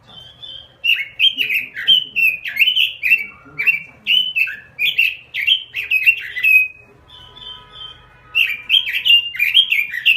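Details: Lively (gacor) robin song in two bursts: a long string of rapid, rich warbled whistles, a quieter gap with a faint drawn-out thin whistle, then the warbling resumes.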